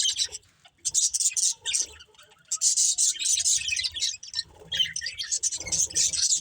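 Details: Several budgies chirping in busy, scratchy bursts of high chatter, broken by short pauses, with faint low thumps and rustling beneath.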